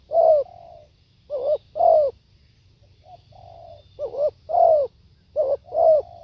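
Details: Repeated live cooing of a spotted dove: quick double coos and longer arched notes, some phrases closing with a soft level purr, over a quiet background.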